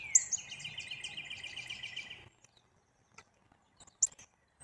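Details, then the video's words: Black-capped chickadee calling: a short falling note leads into a steady, buzzy run of rapid repeated notes lasting about two seconds, then near silence with a few faint high chirps and light background noise. "Blacked-capped chickadee"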